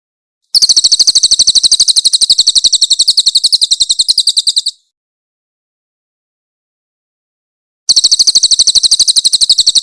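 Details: Grey-headed canary-flycatcher, loud and clear, recorded as a master for songbirds to learn from: a four-second rough trill of rapid high notes, a three-second silence, then a second burst starting.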